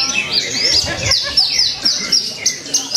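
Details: Javan bush lark at a songbird contest in Purwakarta, 2 February 2020, giving clear, piercing high whistled notes that swoop downward, repeated several times a second in bursts, faint crowd sounds behind.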